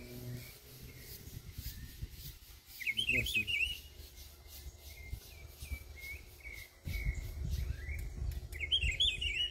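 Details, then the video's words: Rufous-browed peppershrike (pitiguari) singing: a short, bright whistled warbling phrase near the third second, then faint lower whistles and a fuller phrase again at the end, over steady low rumbling wind or handling noise. "Pitiguari , linda ave de um canto muito bonito"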